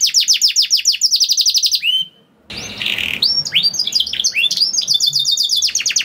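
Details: Canary delivering a continuous trilled song, meant to coax other canaries to sing: rapid repeated notes in quick tours, a brief pause, then a harsh broadband burst before the bright trilling resumes.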